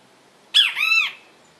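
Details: Great kiskadee calling in nature: a single harsh, rich note about half a second long that dips and then arches, over a faint steady background hiss.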